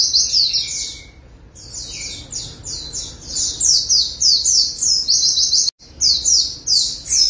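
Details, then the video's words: After a water-therapy bath, a white-eye sings insistently with beak open: long runs of very high, quick, chattering down-slurred notes with a brief break near the start and a short cut midway. "Terapi Air Burung Pleci Langsung NGOTOT Ngalas Buka Paruh"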